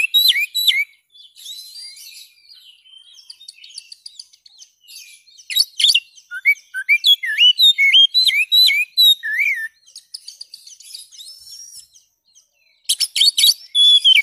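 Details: Oriental magpie-robin (kacer) song played to coax silent caged birds into singing. Bursts of varied, high whistles and sharp trills, with rapid up-and-down slurred notes, broken by short pauses and ending in a loud, dense flourish.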